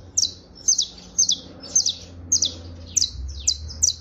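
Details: Saffron finch trilling as canario criollo: crisp high chirps falling in pitch, often doubled, coming roughly every half second over a low droning background.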